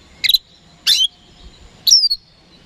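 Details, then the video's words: Oriental magpie-robin (kacer) singing to provoke rival birds; three loud harsh bursts about a second apart, the last sliding into a clear falling whistle. "PANCINGAN KACER HARIAN 🔥 Super GACOR Ampuh Bikin Lawan Cepat Respon"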